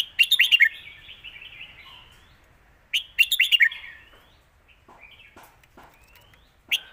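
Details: Red-whiskered bulbul in a cage sings the Lak Wai master song style, repeating short, chattering phrases of bright whistled notes about every three seconds in a quiet setting.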